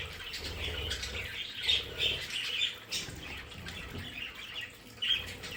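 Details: Pet budgerigars in a play area chatter fairly quietly: scattered high chirps and a few clear whistled notes over a low background hum and rustling.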